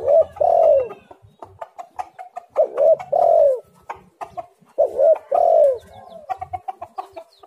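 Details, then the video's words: Spotted dove, called tekukur or derkuku, recorded as a lure so doves start singing: three regular phrases, each a short coo then a longer falling coo, about every two and a half seconds, with light clicks and taps around them. "tekukur super gacor suara yang di nanti nanti semua burung"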